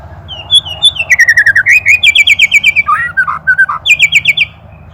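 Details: Shama bird from Indonesia, kept as a master recording for songbird training, pours out rapid repeated whistled notes in rising and falling runs, with lower warbled notes in the middle, rich and continuous.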